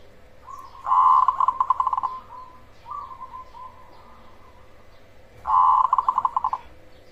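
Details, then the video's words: Black cemani zebra dove singing loudly, a lure recording meant to provoke other zebra doves to answer; two bursts of rapid rolling cooing notes about four seconds apart, with softer trailing coos between them. "Pancingan Ampuh perkutut cemani gacor suara besar untuk semua jenis perkutut"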